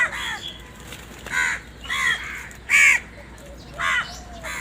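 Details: Crows around a house in a sudden commotion, flying about and calling; loud harsh caws, five main calls about one per second, each a hoarse downward-bending note, with faint voices nearby.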